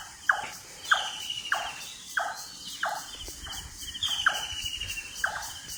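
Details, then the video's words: Birds calling at dawn on a foggy morning, with empty roads after the pre-dawn sehri meal. A sharp, descending note repeats roughly every half second to one second over fainter high chirps and a low rumbling background. "ভোরের ডাক | পাখির কলকাকলি"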